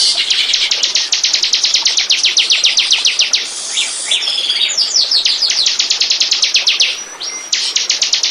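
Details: Bar-winged prinia song played as a lure to draw birds in: long fast rattling series of high, sharp clicking notes, about five per second, interrupted midway by a buzzy slurred phrase, then resuming the rapid chips.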